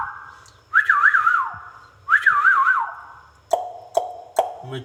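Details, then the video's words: Pet ringneck parakeet gives two warbling, wavering whistled phrases about a second apart, then three short, sharp clipped notes in quick succession. "ringneck |talking sweet |parrot"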